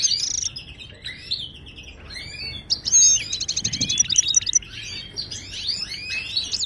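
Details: Moroccan goldfinch song meant to teach caged birds: tinkling high twitters and swept notes, with a dense rattling trill near the middle and quick chattering phrases afterwards.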